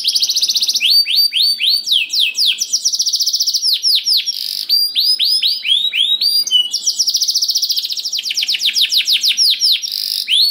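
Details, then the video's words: Singing canary used as a lure for other canaries: rapid trills alternate with strings of downward-swept whistles, about three or four notes per second, with high thin tones layered above. "Kenari Gacor Ngedur Ampuh Bikin Kenari Mana Saja Ikut Bunyi Gacor Ngerol || Voice of Canary"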